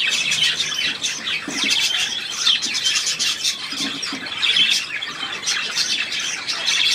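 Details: Budgerigars on 3 April 2017 chatter continuously: a fast, grating warble of clicks, chirps and squeaks, with occasional louder squawks standing out from the steady stream.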